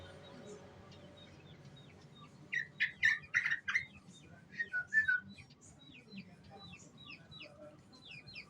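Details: Young sooty-headed bulbul in ngriwik style, played as a lure: quiet at first, then a burst of short chirpy whistled notes from about 2.5 to 5 seconds, followed by softer, scattered twittering over a low background hum.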